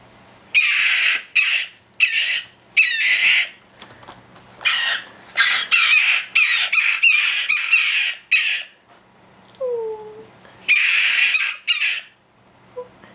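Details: Young hand-reared jackdaws, newly kept in a house and hungry, beg with harsh, raspy bursts about half a second each in quick irregular runs, with a brief soft descending whistle in a gap.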